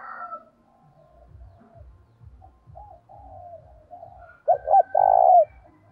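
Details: Spotted dove luring other doves. Quiet, scattered cooing builds to one loud phrase near the end: two brief notes, then a prolonged coo. A soft low pulsing runs throughout.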